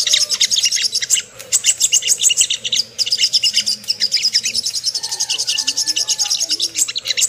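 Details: Lure song of the Ruby-cheeked sunbird, meant to stir birds into arousal and aggression. Fast, thin, high chirping runs with short breaks near one and three seconds, then steady twittering continues.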